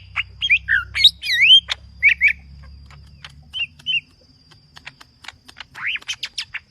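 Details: Green leafbird in aggressive full song, sparser here: curved whistled slurs and paired chirps, then a quieter run of thin clicks before a loud rising whistle near the end; low hum fades early.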